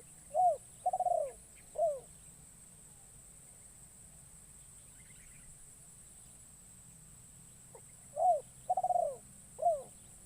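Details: Newly trained captive spotted dove used as a decoy, calling in forest to lure wild doves. Two phrases, at the start and near the end: a short note, a soft coo, a rapid rolling note, then a falling coo. Steady low hum and faint hiss throughout.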